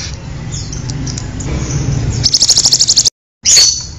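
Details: A pied bushchat gives a quick run of high, thin chipping notes, about eight a second, that cuts off abruptly and resumes briefly, over a soft low background rumble.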